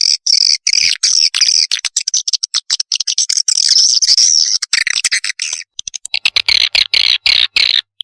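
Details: Chorus of swiftlet chicks used for luring swiftlets: continuous high, buzzy, hissing twitter made of rapid pulses, barely pausing, with a brief lull before a final stretch of harsh rasps.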